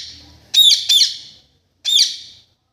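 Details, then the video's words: Green parrot calling; two harsh, high screeches in quick succession, then a pause and a third screech, loud and close. "mithu natural sound"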